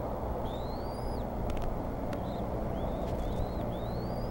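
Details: Bald eagle eaglets begging at their Decorah nest during a mid-morning feeding on 16 April 2014. Thin, high upslurred whistles arrive in a loose series of five, with brief clicks and a constant low roar behind them.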